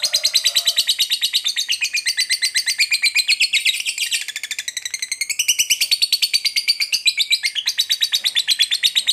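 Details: Fighter lovebird singing a long ngekek trill meant to rouse another lovebird to fight. One unbroken, rapid, harsh chatter of high notes lasts the whole nine seconds, dipping briefly in loudness midway.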